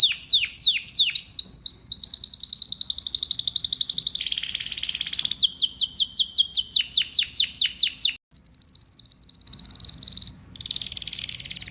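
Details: Melodious canary song made of changing tours: down-slurred notes, fast buzzy rolls and high trills follow one another with abrupt switches and one short break before the trilling resumes.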